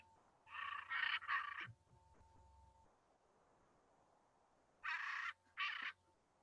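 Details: Hyacinth Macaw, largest parrot, from Bolivia and Brazil, giving loud, harsh, raspy squawks, three in a quick burst and two more after a pause; a faint electronic hum runs underneath.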